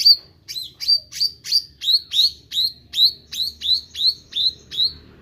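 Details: Clear, close meranti bird singing actively, repeating one sharp chirp that starts high, drops, then turns slightly upward, about three times a second, over an almost silent background.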